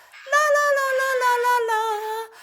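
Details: A pet monk (Quaker) parakeet, chatty after his bath, gives a long, voice-like sung note that slowly slides downward, attempting to sing 'La Cucaracha'.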